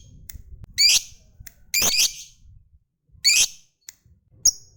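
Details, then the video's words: Lovebird of the fighter type, calling readily to provoke other lovebirds into ngekek trilling. It gives three harsh, shrieking squawks at uneven gaps, then a couple of thin, sharp ticks, all over quiet background hum. "SUARA BURUNG LOVEBIRD Gacor, JAGO NGETIK Bikin Lovebird Apapun Lekas TAMPIL NYAUT NGEKEK"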